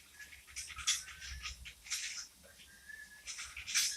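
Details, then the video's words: Pet cockatiel indoors, having fun, making bursts of scratchy, hissing chatter and harsh squawks separated by short pauses, with one thin, level whistled note near the middle. "cockatiel having fun"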